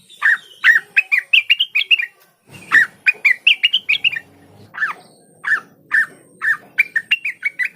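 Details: Olive-winged bulbul, used to make others of its kind sing: lively runs of slurred, bubbly notes that rise and fall, broken by short pauses.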